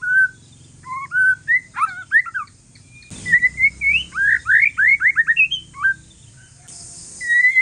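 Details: Aceh forest-strain white-rumped shama singing calmly to coax other shamas into answering: varied whistled phrases, then a rapid run of rising slurred notes after a short scraping noise, ending in a sustained whistle.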